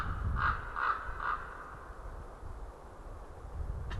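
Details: White-tailed eagle with rings perched in a tree at an Estonian winter feeding ground, January afternoon: three clipped yelping notes about 0.4 seconds apart, then low rumbling background noise and a faint click at the end.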